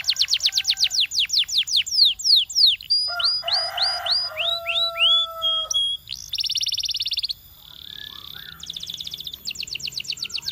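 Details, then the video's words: A Belgian canary sings a long varied song: fast sweeping whistles, slurred descending notes, and rapid buzzy trills. "Belgian Canary Sound That Every Canary Loves"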